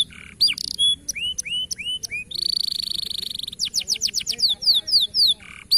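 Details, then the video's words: Local canary song for training birds to sing and sing often: varied high whistled arcs, a long buzzy rattle, then quick series of descending slurred notes, bright and energetic. "Masteran Burung Kenari Lokal Agar Dapat Berbunyi Dan Gacor"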